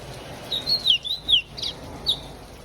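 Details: Singing from a hand as rain falls in João Pessoa, Brazil, an ultramarine grosbeak delivers a phrase of clear, slurred whistles, then two short higher chips. Faint rain patter runs behind it.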